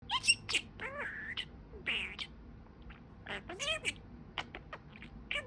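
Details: Pet budgerigar talking: quiet, squeaky, warbled speech-like chatter of short rising and falling syllables with sharp clicks and chirps, delivered in irregular bursts with brief pauses.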